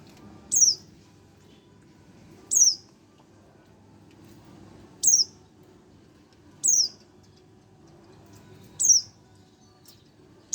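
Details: One-month-old young Oriental white-eye calling: single short, very high thin chirps given about every two seconds, with quiet low background hum between them.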